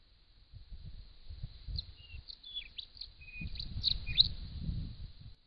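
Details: Rufous songlark in breeding season, late November, singing short, quick phrases of sharp, sliding whistles and scratchy chips over a steady high insect-like drone and low wind rumble.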